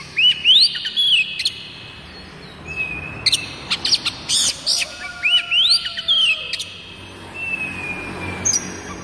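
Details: Oriental magpie-robin song serving as a lure for other magpie-robins to sing: paired rising whistled phrases repeated twice, interspersed with dry clicks, faint steady tones and a final soft whistle.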